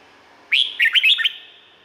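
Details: One quick melodious phrase from a Red-whiskered bulbul in Thailand, a run of about five rich warbled notes lasting under a second, ending in a soft fading ring.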